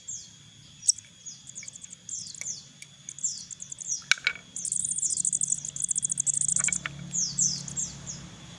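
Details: Crested jay chicks kept in captivity, hand-fed: short groups of high falling chirps, a few clicks and knocks, then a sustained excited chatter of shrill squeaks before tapering off.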